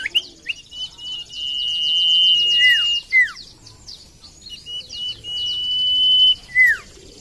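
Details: Common iora song meant to stimulate birds that are slow to sing: two long, sustained whistles, each ending in a swooping downslur. Dense buzzy trills and rapid chirps from other birds overlay them.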